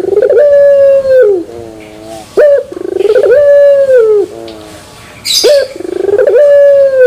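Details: Puter pelung dove, a turtle dove, singing terasan bermetal: repeated full-throated coos, each a brief rattling lead-in, a long level ringing note and a lower falling tail. A faint hiss is heard near the end.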